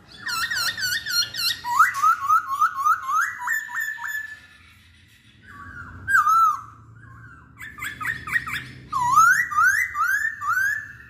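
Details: A masked laughingthrush delivers a string of repeated rising whistled notes, pauses, then resumes with a sweeping slurred whistle and another run of loud rising phrases over faint low background noise.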